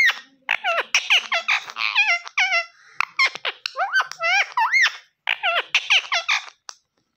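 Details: Rapid, squeaky, swooping syllables pour out in near-continuous bursts from a green rose-ringed parakeet that is said to talk in Urdu/Hindi, repeating "mian mithoo".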